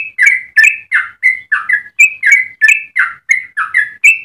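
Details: Yellow-vented bulbul in sweet long song for tutoring or luring others: a run of short liquid notes, each often doubled, repeated about three per second without pause.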